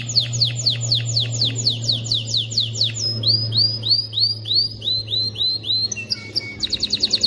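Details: Male canary song aimed at teaching chicks and arousing females: repeated descending sweeps, then rising arched whistles, then a short fast trill, over a faint low hum.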